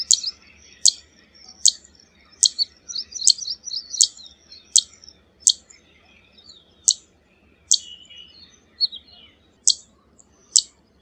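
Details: Zitting cisticola calling with sharp, high, clicking 'zit' notes repeated about every 0.8 seconds, some followed by brief thin chatter, against a quiet background.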